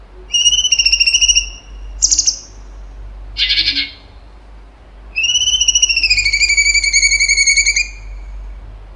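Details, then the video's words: Grey-bellied bulbul in full song: rapid trilled phrases of fast-pulsed notes, each held steady or slightly rising for one to three seconds, with a brief buzzy burst in between and a faint low hum beneath. "CUNGKO GACOR TEMBAKAN HOT SUPER TEJEM"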